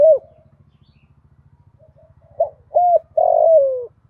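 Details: A female spotted dove calls to excite males in the 'giọng thổ pha' style with one ending coo. A closing coo is followed by a full phrase of short, paired and long falling coos, with a steady low pulsing hum underneath.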